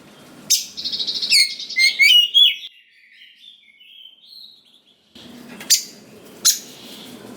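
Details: Oriental magpie-robin, a prolific singer, giving a basic lure song meant to rouse young forest birds into answering: a buzzy rattling burst, then clear rising and falling whistles, a long soft warble and two sharp notes.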